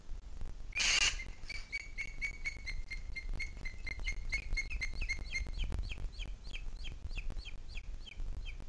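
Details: Booted eagle in the Sierra de Guadarrama, 2 July 2021 at 17:53, after a brief loud rasping burst, delivers a long, clear series of ringing, whistled high notes, about three per second, becoming slightly more inflected toward the end.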